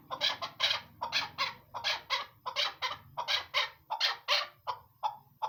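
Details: Female chukar partridge giving a chattering call of paired, raspy clucks in quick succession, about one or two notes per second, over a low background hum.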